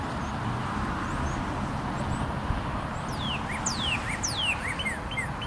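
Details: Red cardinal singing on 22 February 2013, a series of steep downslurred whistled notes repeated roughly twice a second, with faint other chirps and constant low background rumble.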